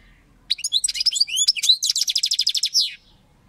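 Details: European goldfinch singing: a quick run of varied high, thin, twittering notes, then a rapid, evenly repeated chattering trill lasting about a second before it stops abruptly.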